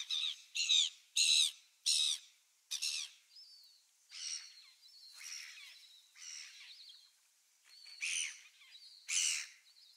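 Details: Gulls on 27 December 2017, a quick burst of loud harsh calls followed by softer, scratchier notes and thin high whistles, then two more loud calls near the end.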